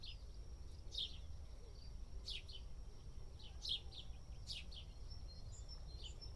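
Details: House sparrow in India, dust bathing, with a handful of brief bright chirps spaced about a second apart, some doubled, above steady low-pitched background noise and a thin continuous whine.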